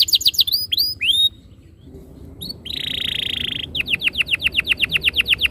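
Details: Canary song used as a training lure to make canaries sing and roll: quick descending sweeps, a brief quiet gap, a sustained buzzy note, then a fast series of downslurred whistles.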